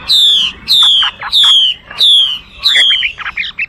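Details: Chinese hwamei repeating a clear, high downslurred whistle about five times, evenly spaced, ending in softer broken notes.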